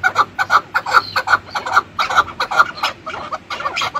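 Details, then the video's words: Chukar partridge (kınalı keklik) call: a rapid run of harsh, clucking chuk notes, two to three per second, with a faint background hiss. "Keklik sesi"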